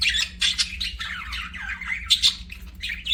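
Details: Rapid budgerigar warbling made of bright squeaks and chattering twitters that dip and rise quickly, packed into a continuous run of short notes with a steady low hum behind.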